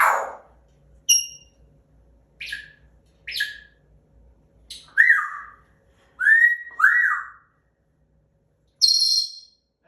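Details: Pet African grey parrot, about two years old, indoors making its so-called bad noise: short separate sounds, some high thin clicks and squeaks, others lower rising whistled notes with a squawky edge, spaced about a second apart.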